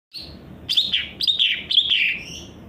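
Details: Greater green leafbird, a bird kept by songbird hobbyists in Indonesia: loud, bright song of slurred whistles and harsh chattering notes in short bursts, fast and varied, with a faint low room hum behind.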